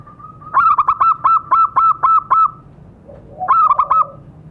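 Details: Lure call of a zebra dove, meant to make caged birds answer: a soft lead-in note followed by about seven fast staccato coos, a short gap, then three more clipped pulsed notes.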